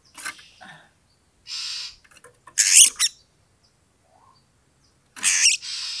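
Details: Oriental magpie-robin (kacer) song used to raise a rival's anger for fighting. Softer scratchy notes give way to harsh buzzy rasps, with a loud grating burst near the middle and another at the end, separated by quiet pauses.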